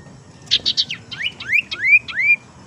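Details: Lure call of a tailorbird, meant to attract or stimulate singing: three quick buzzy chips, then four ringing whistles that sweep upward, given in close succession.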